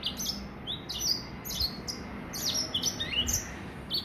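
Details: Three-month-old hybrid from a Gray Finch and a Lemon Breasted pairing, singing a first full song of spaced, sweet high notes and short slurred phrases repeated several times a second.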